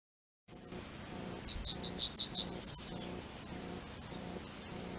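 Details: A Yellowhammer, the commonest bunting of open farmland in Central Europe, sings a quick run of about seven high, buzzy repeated notes ending in the long drawn-out final note, over a soft background hum.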